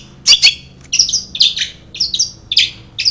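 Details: Caged long-tailed shrike utters harsh, scratchy squawk-like phrases about once every half second, part of a mimicry-rich lure song for stirring other shrikes to sing.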